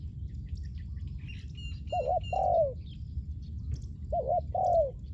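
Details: Spotted dove, recorded to lure wild doves to the ground, repeats its phrase twice: a trembling double note then a longer sliding coo that drops in pitch. Thin high whistles from other birds and wing-like flutters sound earlier, over low rumble.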